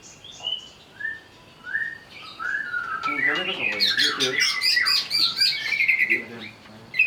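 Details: Agitated greater green leafbird (cucak ijo) song: clear rising whistles one by one, building into a dense, varied torrent of chattering and whistled phrases.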